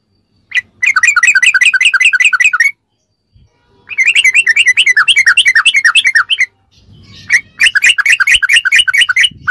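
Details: Sooty-headed bulbul ropelan, fast continuous song for masteran training: three long bursts of rapid bubbly chattering notes, around two and a half per second or more, separated by short pauses.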